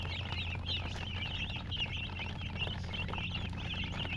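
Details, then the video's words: Chicks chirping together, a dense run of high, wavering peeps rising and falling over a low steady hum. "silly chicken chirping sounds with murgi hen color chicken"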